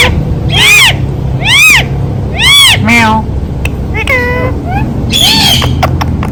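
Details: Rose-ringed parakeet kept as a talking parrot, voicing "Mitthu Mitthu". Three strong arched, nasal calls repeat about once a second, followed by falling slurred notes and a final rasping burst, with a low indoor hum throughout.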